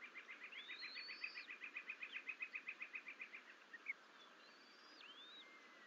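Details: At the Fort St Vrain bald eagle nest on 14 April 2024, twin eaglets left alone; a rapid even run of about twenty high chipping notes, with slurred rising-and-falling whistles laid over it and after, under steady hiss.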